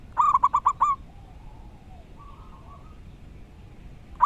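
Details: Wild local zebra dove with a loud, clear voice gives five rapid, bouncing coos, then quieter soft cooing in the background before a new phrase begins at the end.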